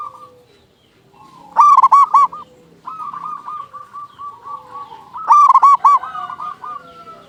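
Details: Local zebra dove singing as a lure for other zebra doves. Two bursts of quick, hard-edged coo notes frame a stretch of softer, rippling trilled cooing from nearby doves.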